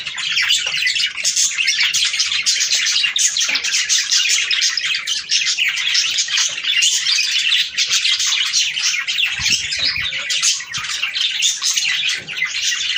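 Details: Budgerigars singing to stimulate breeding: a dense, continuous chatter of rapid chirps, warbles and scratchy notes from several birds, steady and loud throughout, indoors.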